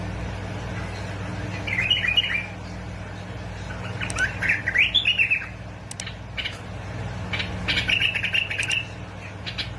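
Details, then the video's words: Bulbuls of Basra and Fao singing, a recording meant to stimulate bulbuls into song: several chattering, warbled phrases of rising and falling notes, separated by short pauses, with clicks and a steady low hum behind. "مقطع تحفيز طيور البلابل على التغريد"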